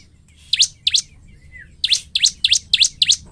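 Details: Bar-winged prinia lure song, said to quickly provoke other prinias, singing seven sharp, high, slurred chips, about three per second after a brief pause, with a faint lower whistle in the gap.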